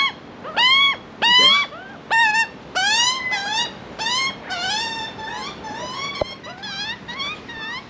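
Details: Baby Australian magpie begging for food in Australia: several loud, harsh, rising squawks that grow softer and more drawn out toward the end, with a single sharp click partway through.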